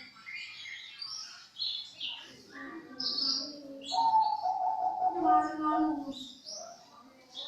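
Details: Champion breeding zebra dove from Indonesia. A low, steady cooing tone with a rolling trill swells in the middle of the recording. Bright, scattered chirps from other small birds sound throughout.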